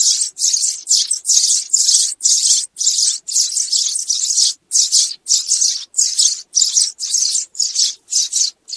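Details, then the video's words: Sparrows calling the flock together, a lure sound for trapping; high, scratchy twitter bursts repeated nearly twice each second, several birds chirping at once. "TIẾNG CHIM SẺ GOI ĐÀN DÙNG ĐỂ BẪY"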